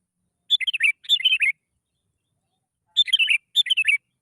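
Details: Sooty-headed bulbul singing lure phrases meant to prompt other bulbuls to answer: two pairs of quick, chortling phrases of several liquid notes each, separated by a pause of about a second and a half.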